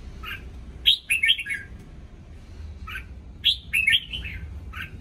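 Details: Red-whiskered bulbul in new pin feathers singing in the morning: short warbled phrases of bright, slurred whistles, each introduced by a brief chirp, repeated about every two and a half seconds over a low background hum.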